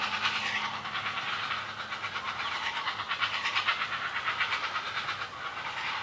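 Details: Nest of young great blue herons making an awful din during feeding by a parent: dense, hissy, rapidly pulsing rattles run continuously, rough and noisy throughout.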